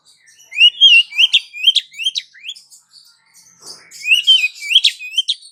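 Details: Female Oriental magpie-robin calling the male, used as a lure: rapid series of upswept whistled notes with sharp chips between them, two bursts separated by a brief pause.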